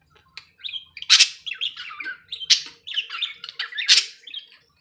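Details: A pet budgerigar chatters in quick, warbling chirps broken by sharp, harsh squawks.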